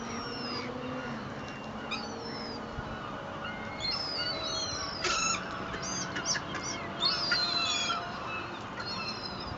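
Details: A noisy crowd of seagulls fed half a loaf of bread at Fleetwood Docks on a sunny day; many overlapping sharp, high, descending cries and yelps, busiest in the middle, over steady harbour hum.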